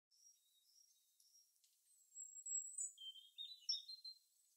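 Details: Birds in their natural habitat: scattered high chirps, then a sweeping whistled phrase sliding down and a burst of fast, jumbled high notes toward the end.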